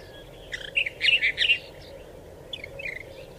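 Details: Desert finch singing: a short burst of bright chirped notes around half to one and a half seconds, then a softer, fainter phrase near the end, over a steady low background hum.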